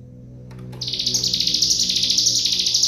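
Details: Cigun song in rapid close-fired master style for tutoring other cage birds: after a near-silent start with faint ticks, a high, fast, pulsing trill bursts in and continues steadily, over a faint low hum.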